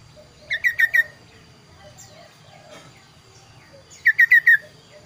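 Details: Kaso-kaso bird song in two bursts of rapid, clean falling whistles, four notes then five, separated by about three seconds of quiet scattered chirps and low hum.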